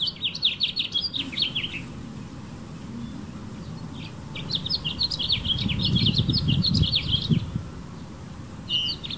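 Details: Two bursts of lively, tumbling warbled phrases from a male House Finch perched in a California backyard garden, singing for females; a short pause separates the phrases, with a faint low rumble beneath.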